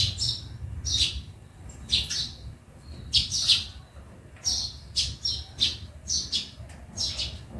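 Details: Sparrows in a backyard chirp in short, bright bursts, roughly one or two every second, with a low steady hum underneath.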